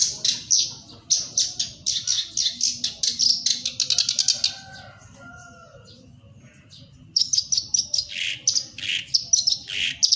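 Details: Black-browed reed warbler song, played to prompt other birds to sing. Fast runs of high, chattering notes fill the first four seconds. A near-silent pause follows, then a second burst of scratchy, repeated phrases begins.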